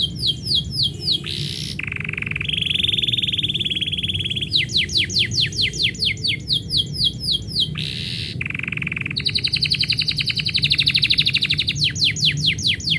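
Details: Canary in song just as its owner gets ready to go out, stringing together rapid repeated swooping notes, buzzy rolling trills and sustained whistled tones, with steady low hum underneath.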